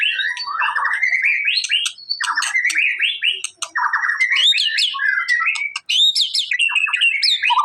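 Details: Energetic white-rumped shama song meant to draw a response: repeated rising buzzy trills and twisting whistles, interspersed with sharp clicks, continuous and loud.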